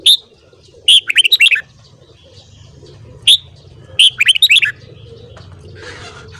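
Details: Red-whiskered bulbul singing in the morning, a recording used for song training: a loud single whistled note, then a quick burst of five or six bright, bubbling notes, repeated after a pause over faint low hum.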